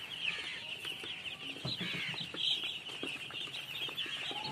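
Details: A brood of baby chickens peeping nonstop, many high thin cheeps crowding together into a steady twittering chorus, with soft low thumps and shuffling in the background.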